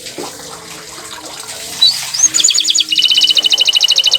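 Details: Bottle-green canary song rising out of a rushing, water-like background: a few high slurred notes, then a fast even trill of repeated double notes.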